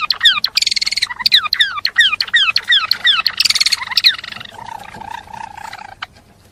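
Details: Java sparrow song used as a tutor for other songbirds: a quick run of downward-sliding chirps and a buzzy trill, fading into a steady low tone before stopping.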